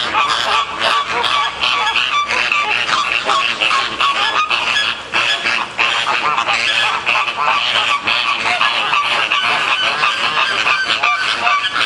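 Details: Flamingos in a minor dispute at Columbus Zoo, Ohio: a dense, continuous chorus of nasal goose-like honks from many birds, overlapping without pause.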